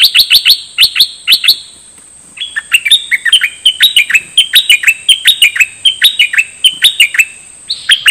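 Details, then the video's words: Song of the Dok Taeng bird, used for training young birds and stirring them up: several high sharp chips at first, then a dense, lively stream of twisting chirped notes. "เสียงนกดอกแตงEp.2 ใช้หัดลูกนก เปิดให้นกคึก!!"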